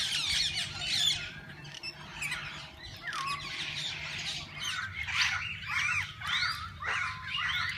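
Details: A walk-in aviary at a parrot zoo full of assorted parakeets that visitors can feed and hold. Varied chirps, downslurred squeaks and harsh squawks come in irregular bursts about twice a second over a soft hum.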